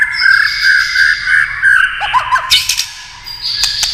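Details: White-rumped shama urged to sing by tail-tapping clicks: sustained whistled notes layered at two pitches, then short downslurred chips and scattered clicks.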